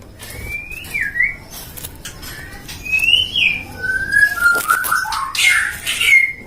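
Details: White-rumped shama bred in captivity by a songbird keeper in Depok, Indonesia: separate rising and falling whistled slurs, a few seconds apart, over faint background noise, with a loud clustered burst near the end.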